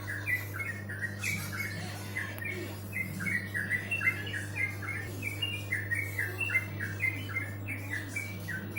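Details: Several birds chirping together in quick, steady succession of short mid-pitched chirps with a few squawks, over a constant low electrical hum, seemingly indoors.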